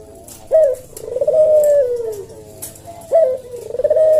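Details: Javan collared dove in a cage, singing the slow 'senggang' style of 'kuk deruk': each phrase opens with a short rising accent, followed by a long mellow coo that slowly sinks, repeated twice.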